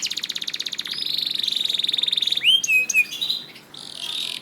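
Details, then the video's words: Canary singing as a tutor recording for canaries slow to sing: a long rapid pulsed trill, a bright swooping whistle with short flourishes, then a buzzy rolling phrase. "MASTERAN KENARI GACOR AUTO RESPON UNTUK KENARI ANDA YANG SUSAH GACOR"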